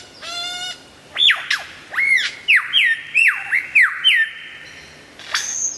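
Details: Lyrebird in loud, very clear full song: a stacked harmonic burst, then a run of loud arched whistles that rise sharply and fall, about six in quick succession, ending in a high sweeping note.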